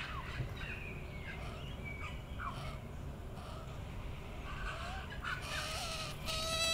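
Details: Hungry newly fledged young magpie begging from a neighbour's tree. Repeated short, harsh, squawky calls, some sliding downward, come several times a second over a steady low rumble of wind or traffic, with a thin whining tone near the end.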